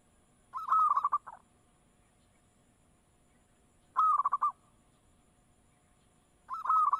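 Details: Zebra dove (perkutut) lure recording, quieter: three short bursts of rapid, slightly rolling coo notes at a steady mid pitch, spaced about three seconds apart over a faint steady hum.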